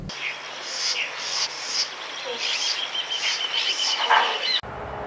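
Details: Southern house wren, a small restless bird of central Argentina, gives harsh, buzzy scolding bursts in quick, uneven succession, with a few thin high whistles mixed in over a faint low hum.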